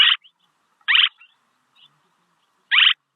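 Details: Swallow call meant for luring: three loud, rasping chirps, widely spaced across three seconds, with faint soft notes in the quiet gaps.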